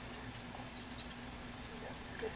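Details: An American Redstart sings in Mont-Orford National Park among many singing birds: a quick run of four or five very high, thin, down-slurred notes, then a slightly different closing note, over quiet woodland background.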